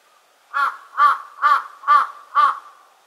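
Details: Large-billed crow at Senjojiki on Mount Hakodate, Japan, giving five harsh, nasal caws in a steady series, about one every half second, with no other sounds behind them.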